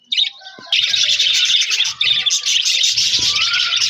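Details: Budgerigars chirping with a new budgie friend, recorded January 4, 2026; a brief opening note, then a dense, continuous warbling chatter of overlapping squeaky chirps and whistles, with faint low knocks beneath.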